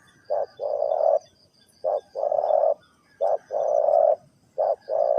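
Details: Spotted dove coo in the '3 kuk hoi' manner, rougher and flatter here: a short hoot then a long buzzy-toned coo, pairs repeated about every one and a half seconds over low background rumble.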